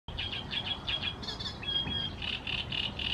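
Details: A great reed warbler (Acrocephalus arundinaceus) in Croatia gives harsh, chattering notes in quick repeated bursts, with a brief thin whistle in the middle, over a low rumble of background noise.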